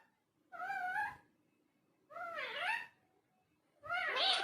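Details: Indoor talking parrot making three drawn-out, meow-like wavering calls, each about half a second to a second long, spaced roughly a second and a half apart.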